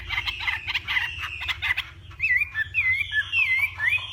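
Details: Hwamei of Vietnam's Northwest in a morning singing duel, first a dense stuttering chatter, then clear looping whistled notes rising and falling about twice a second over a low hum.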